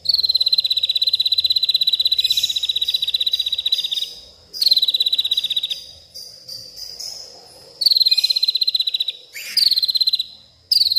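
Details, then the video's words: White-rumped shama at night, agitated, voicing isian mimicry: repeated long, fast, high insect-like trills, each starting slightly higher and easing downward, with brief gaps and softer rattles in between. "malam hari malah koar koar,,,murai batu ngamuk isian se kebon keluar"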